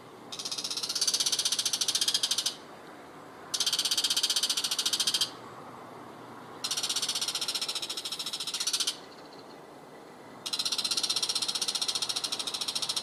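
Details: Bull-headed shrike giving its everyday harsh call, loud each morning from vegetable trellises and power lines by a home garden field in Japan. Dense, grating, high-pitched rattling bursts of about two seconds each, separated by short pauses, four bursts in all.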